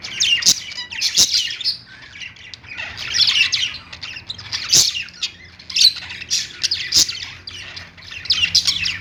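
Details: Caged budgies on a perch, with lovebirds also kept: rapid chattering warble in repeated bursts, scratchy notes mixed with thin squeaks and occasional sharp ticks, short gaps between phrases.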